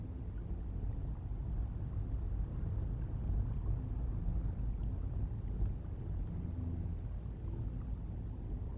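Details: A steady low rumble of wind and water noise continues throughout, with no animal voice.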